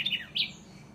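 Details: A house wren (Troglodytes aedon) in tropical trees in Costa Rica gives a call of two quick, high chirps in about half a second, the second brighter and slightly higher, over a faint low hum.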